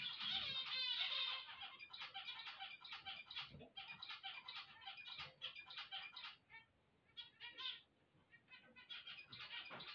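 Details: Morning song of zebra finches just awake. A steady stream of short, nasal, buzzy notes repeats rapidly, about two per second. The singing pauses briefly near the end, then picks up again.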